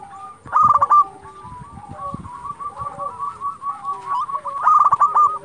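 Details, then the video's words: Lively local zebra doves calling to provoke rivals into answering; two loud rattling bursts of rapid coos frame a long chain of softer looping notes, with several birds cooing over one another. "Perkutut lokal gacor Sekali Putar Lawan Pasti Emosi Langsung Nyaut"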